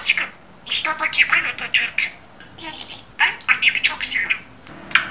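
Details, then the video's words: Budgerigar speech mimicry: grating, chirpy syllable clusters in two bursts with a short quiet gap between them. "İNSAN KADAR NET KONUŞAN MUHABBET KUŞU"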